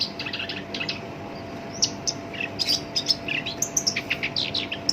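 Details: Black-browed reed warbler singing harsh-voiced song: quick high chirps, short scratchy bursts and sharp ticking notes, delivered irregularly about once a second against steady low hiss.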